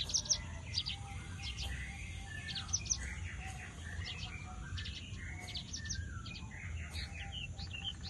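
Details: Javan bush lark singing energetically, mixing thin high chips with lower warbled and slurred notes in a busy, uneven stream, over a constant low background noise.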